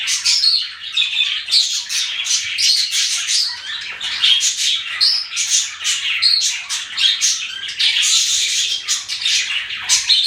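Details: Pet budgerigars chirping in a dense, continuous chorus of high, scratchy twitters and squeaks with no pauses, several birds apparently overlapping throughout.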